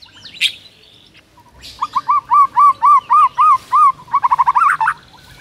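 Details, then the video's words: White-rumped shama singing as a lure for a silent bird: a sharp opening note, then a series of about eight arched, mellow whistles in steady rhythm, closing with a quick rising flourish. "HITUNGAN DETIK DIJAMIN MURAI BISU LANGSUNG GACOR DENGAN PANCINGAN INI"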